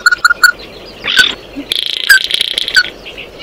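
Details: Oriental white-eye giving flock-gathering calls: three quick mid-pitched notes, a brief rough burst, then an extended buzzy twitter with two clear slurred notes inside it.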